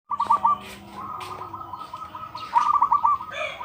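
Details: Local zebra dove with a big voice. Stuttering trilled coo phrases, one at the start and another near the end, among chirps and rustling from other birds and a steady low hum.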